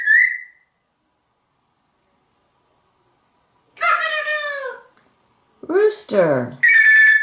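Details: A pet grey parrot indoors gives a brief whistle, then a harsh, falling crow imitating a rooster while chatting with its owner, followed by jumbled talking and squawky mimicked phrases such as "God bless you".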